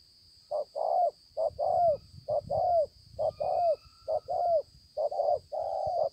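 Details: Spotted dove, a decoy bird with a beautiful pearl-spotted collar, recorded 5/9/2020; repeated cooing in paired notes, a short coo then a longer falling coo, about a dozen notes in quick succession, with a steady high hum.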